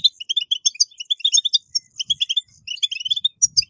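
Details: European goldfinch giving a dense, lively twitter of liquid chirps and buzzy trills, nearly nonstop, played to encourage caged goldfinches to sing; soft low knocks in the background.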